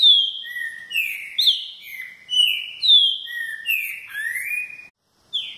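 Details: Repeating-type green-winged saltator whistling its short phrase again and again, bright slurred notes stepping down then up, ending with a rising whistle before a brief pause.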